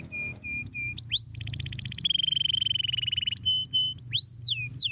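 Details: Canary song used to encourage other birds to sing: short whistled notes, a rising sweep into a dense buzzy trill, a long rapid rattle, then steady whistles and upward sweeps.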